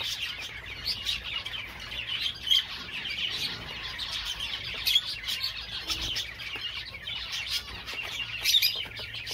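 Java sparrows chatter steadily in high, dry clicking twitters, with bell-like notes standing out every couple of seconds over a faint hiss.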